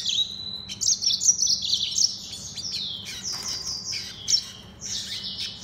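A Mozambique serin and canary hybrid sings a fast, bright run of high twittering notes and trills, with quick buzzy phrases following without pause.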